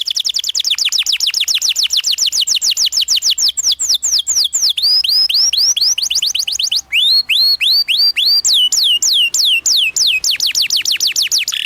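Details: Canary song used as training material for young canaries, long and lively: fast series of loud, whistled, downward-sweeping notes repeated several times per second, with the phrase shifting in pitch partway through; no other sounds.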